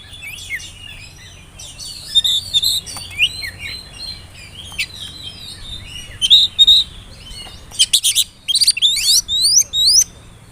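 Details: Oriental magpie-robin, spotted young bird, whistling as a lure to set off young birds singing: fast varied chirping warble with quick upslurred whistles, ending in a rapid series of rising notes.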